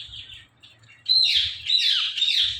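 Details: Green pet talking parrot giving bright, high-pitched chattering squawks after a quiet start, with faint low background hum.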